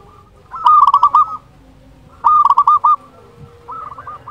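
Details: Local Indonesian zebra dove in full song, used as a lure to make quiet doves sing: two bursts of rapid, rolling cooing notes, each a quick run of five or six beats, the second bird starting faintly near the end.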